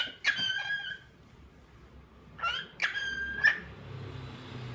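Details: Cockatiel calling in short whistled notes with strong harmonics, spaced by pauses of a second or more, in a quiet room.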